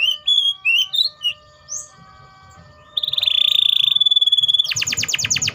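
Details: Canary song: short whistled, slurred notes, a pause, then a long, rapid, even trill held at one pitch, ending in a fast buzzy run of sweeping notes. A faint low hum lies underneath.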